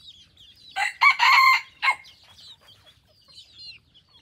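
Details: A hybrid junglefowl decoy cock in Phon Thong, Roi Et, Thailand, gives a short, loud, hoarse crow in a few broken bursts, with faint high chirps of small birds in the background.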